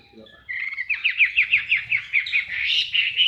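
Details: Male Chinese Hwamei, a loud contest songbird captive-bred in Indonesia, delivers a rhythmic series of about nine quick, evenly spaced slurred whistles that run into a sustained bright warble, over a faint low hum.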